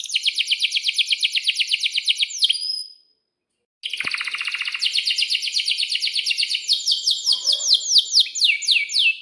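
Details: Canary singing a long 'ngerol' roll to tutor young canaries: a rapid pulsing trill, a brief silence, then another long trill whose notes grow slower and broader toward the end.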